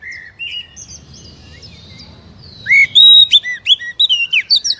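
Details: Captive Oriental magpie-robin song used as a lure to prompt a slow or reluctant bird to start singing: a faint high whistled phrase first, then from three seconds loud rich varied whistles and sharp notes in quick succession.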